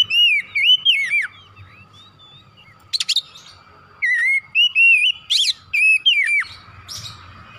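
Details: Kacer, or Oriental magpie-robin, singing loudly to stimulate other birds: strings of looping whistled notes that rise and drop, interspersed with sharp high buzzy bursts, separated by short quiet gaps over a faint steady hum.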